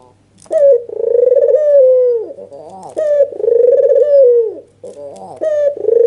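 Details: Red-eyed white Barbary dove in an emotional nodding display, used as a lure to make other doves call: three long purring coos, each led by a quick upward note and fading downward, with short gaps between.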